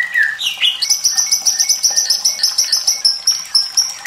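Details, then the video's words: White-rumped shama song for training young and reluctant singers, with trickling water; a low whistle and rising slur lead into a fast, even string of piercing high notes. "MURAI BATU SUARA PEDAS Plus gemericik air perangsang bunyi"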